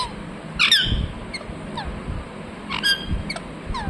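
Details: A ringneck parrot gives a few chirps: two louder harsh, downslurred calls and some softer short notes, over a noticeable low background rumble.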